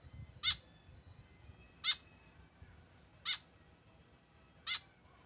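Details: A tame white-breasted woodswallow kept without a companion gives four sharp, harsh nasal calls at a steady pace of roughly one every 1.4 seconds, against a quiet low hum.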